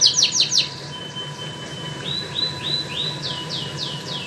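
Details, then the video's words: White and crested canaries singing at home: a quick burst of slurred notes, a long thin steady whistle, then a series of separate rising sweeps spaced about a third of a second apart, fairly soft, with a faint hum. "White canary and crusted canary are signing very nice"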